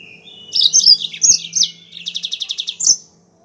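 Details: Yellow-fronted canary (Serinus mozambicus) song used as a lure and tutor song: a quick, high, warbling phrase of sliding notes, then a rapid trill of about eight repeated chips ending in a bright flourish; faint hum.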